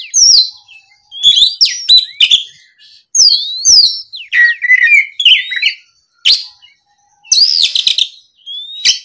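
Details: Oriental magpie-robin song triggered by a rival: loud clear whistled phrases with sweeping slurs, clicks and a buzzy warbled section, delivered continuously in bouts with short silences.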